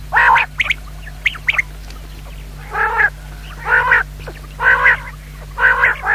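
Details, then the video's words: Common quail, said to be a female: a few short, sharp chirps, then a run of nasal, buzzy notes about half a second long, repeated roughly once a second over a low steady hum. "Звук самки перепела"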